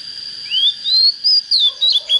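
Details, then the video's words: Oriental magpie-robin just coming into song: a smooth rising whistle leads into several loud, sharp whistled notes, roughly four per second, over a constant high-pitched hum. "Chích chòe than mộc CHỚM LỬA || có chất GIỌNG CHUẨN"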